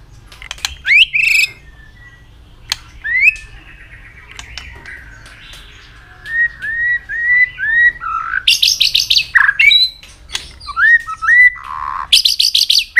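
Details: Many-voiced training song of a white-rumped shama: scattered sharp notes, then a series of short upslurred whistles, harsh high buzzy bursts and more clear whistles, with pauses between phrases.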